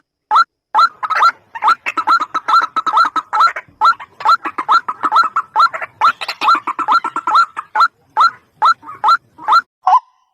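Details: White-breasted waterhen (ruak-ruak) calls used as a lure for bird trapping: a dense, rapid run of harsh croaking notes, each with a rising hooked tone, about two per second with overlapping voices, ending in a lower croak.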